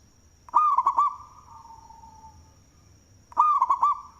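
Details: Big-voiced local zebra dove, a lure singer, delivers two bubbling coo phrases about three seconds apart, with a fading soft coo after the first and a steady high whine.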